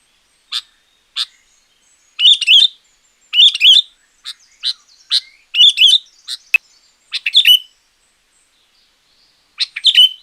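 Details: A series of sooty-headed bulbul notes: single sharp chirps mixed with bubbly doubled phrases, repeating steadily over ten seconds. It serves to lure wild bulbuls or to train quiet birds to sing.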